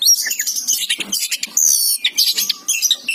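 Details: Kacer, or Oriental magpie-robin, in full gacor song: dense, shrill twittering and fast trills packed into short bursts, high whistled notes overlapping with scratchy chatter and quick pauses.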